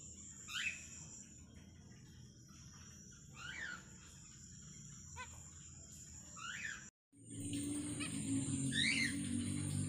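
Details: One of a pair of Australian zebra finches in a planted aviary at night gives short, sharp chevron-shaped calls about every three seconds, over a steady high insect-like whine and low hum.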